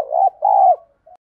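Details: Spotted dove decoy with a field-style voice, kept to stir newly caught birds to coo: a brief low hollow coo in two parts, the second longer and falling at its end, then a faint short note.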